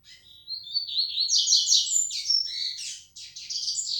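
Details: Yellow-bellied seedeater delivering flecha negra style song: an unbroken stream of high, quick chattering and buzzy trills, rising and varying in pitch throughout.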